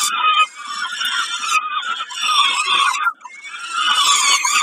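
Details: Peregrine falcon in Kawęczyn at snack time, 20 May 2022: continuous grating, whining squeals in long bursts, broken by brief gaps at about half a second and three seconds.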